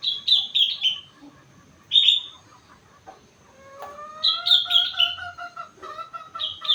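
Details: Sooty-headed bulbul, four months old, delivering song stuffed with rengganis and cucak wilis mimicry; clusters of rapid downslurred whistles alternate with a long steady rising tone in the middle, then more stepped falling notes.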